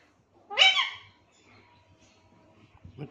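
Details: Caged Alexandrine parakeet, a talking pet bird, saying "mithu mithu": one loud harsh, buzzy burst with stacked bands lasting about half a second, followed by faint room noise and a soft sound at the end.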